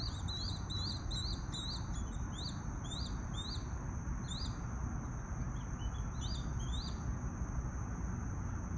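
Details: Adult swallow-tailed kites, possibly with a juvenile, preening during their morning routine, give high, thin whistled notes in quick rising-and-falling runs, over a steady high insect-like drone and low rumbling wind.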